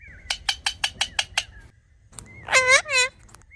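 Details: Talking parrot making natural sounds: a fast run of six sharp, clipped pulsed notes, a pause, then two loud harsh squawks with rich harmonics, faint whistles in between.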